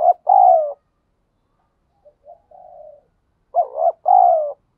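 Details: Wild spotted dove calling outdoors: a loud mellow coo, a pause with soft faint notes and a drawn-out low hoot, then another strong two-part wavering coo.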